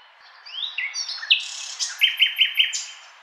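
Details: Singing nightingale delivers rising whistled slurs, then a rhythmic train of five loud, clipped repeated notes at a steady pace, ending on a high thin whistle.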